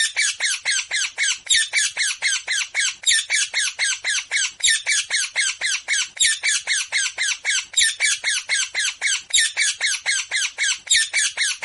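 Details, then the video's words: A green parrot gives harsh, grating screeches in fast, nearly unbroken runs, several per second, with no other sounds. "parrot voice ! طوطے کی آواز ! Totay ke awaz"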